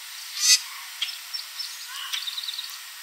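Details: A common grackle perched in a backyard tree in Southern Ontario, Canada, late in the evening, gives one brief, harsh, squeaky note, followed by a run of faint, rapid high chips from other small birds.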